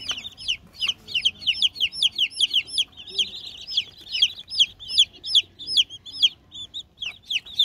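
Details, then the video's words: Chicken chicks playing and eating, kept with heat provided: a dense chorus of high, sharp peeping chirps, each a quick rising-falling note, overlapping rapidly about two to three per second throughout. "cute baby hen- cute chicks - Chick -chicken chicks"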